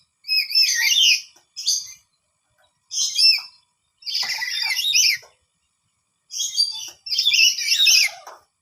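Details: Startled lory loudly replying to calls heard from its surroundings and seeking their direction: a series of harsh, high screeching bursts, each about a second long, separated by brief silences.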